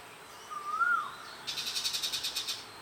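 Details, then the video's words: Forest bird in Sisaket, Thailand, with a clear rising and falling whistle, then a rapid high buzzy trill pulsing about eight times a second for over a second. "Singing Bird - Forest Birdsong"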